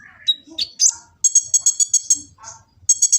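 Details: Kolibri ninja sunbird singing full-variety song for training other birds, phone-recorded in Gresik, East Java: high thin chirps and a rapid run of sharp ticking notes, with short pauses between bursts.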